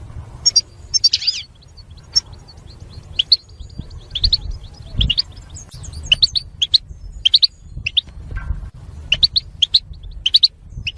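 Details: European goldfinch song meant to stimulate other goldfinches to sing: a buzzy trill opens, then quick high twittering chirps in loose clusters with brief pauses, over a faint low hum.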